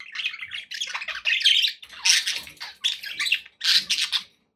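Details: Budgies in a happy group give a rapid chatter of harsh squawky chirps in bursts about a second long, with short gaps between.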